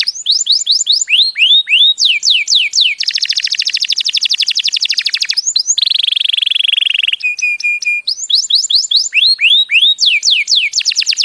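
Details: Loud canary song tied to mating, from an agitated male: quick bursts of falling whistled notes, long dense buzzy trills, a steady pure tone held briefly, then more descending swept notes repeated rapidly.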